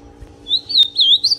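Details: Brown-plumaged ultramarine grosbeak song for exciting another male: a brief phrase of a few smooth, wavering whistles, the last slightly higher, with a click in the middle and low hum behind.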